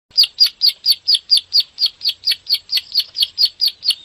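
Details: Bar-winged prinia in rapid 'klik' song used as a training master to provoke caged birds to sing; sharp, high chirps repeated about four times a second, evenly spaced and unbroken.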